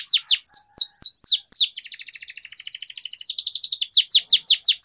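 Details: Canary singing as training material for long rolling song: bright descending whistled sweeps, then a rapid buzzy rolling trill from about two seconds, ending in more repeated downward-swooping notes.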